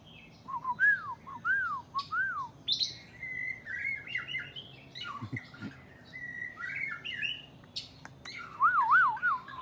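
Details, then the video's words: White-rumped shama singing a varied run of clear, looping whistles that rise and fall, mixed with sharper chirps and buzzy notes, in bursts over several seconds, throat visibly swelling as it sings. "Beautiful White-Rumped Shama Bird Song"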